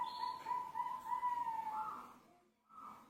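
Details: Zebra dove singing: a continuous, low, rolling coo with a slight tremble, rising into a higher note near the end, then a short, higher closing note, over a steady background hiss.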